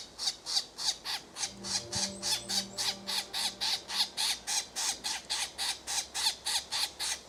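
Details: Red-bellied woodpecker calling in a fast, even series of rasping, scratchy notes, roughly three and a half per second throughout, over a soft low steady hum in the background.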